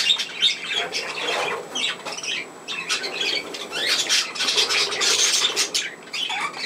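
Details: Budgerigar at home, filmed playing on 27 August 2024, keeps up a steady stream of harsh squawks and chattering trills, nearly unbroken through the whole recording.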